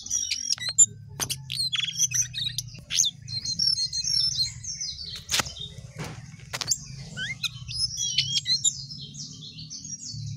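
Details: Sooty-headed bulbul song: scattered high chirps and sharp clicks early, building to a chattering flow of thin, high notes, with a few sharp snapping sounds and a steady low hum.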